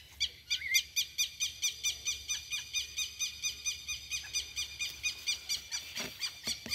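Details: Juvenile rufous-bellied thrush begging, filmed 28 November 2022: a rapid series of short, harsh, high chirps repeated steadily about twice per second, each with stacked overtones, with faint low rumble beneath.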